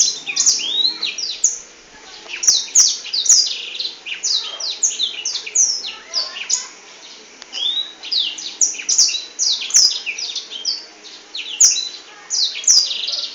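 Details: Wings spread, a Black-throated canary delivers long, energetic song: dense, high, sweet twittering with fast chirps, slurred whistles and trills strung together in surging bursts for over ten seconds, with occasional sharp clicks.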